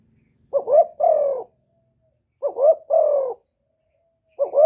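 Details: Decoy spotted dove from Ca Mau, Vietnam, calling to lure wild doves: repeated cooing phrases about every two seconds, each a quick double rising note then a drawn-out falling coo, in a quiet setting.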